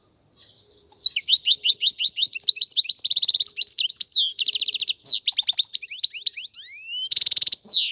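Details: European goldfinch song: a rapid, tinkling stream of high chirps, trills and buzzy rattles, with fast repeated notes, sweeping rising whistles and harsh buzzes, continuing for about seven seconds.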